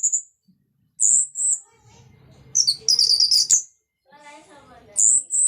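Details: Energetic 'ngeplong' song of an orange-headed thrush, played to coax other orange-headed thrushes back into song: piercing high drawn whistles alternate with a dense jumble of chirps, then a quiet pause and another long whistle.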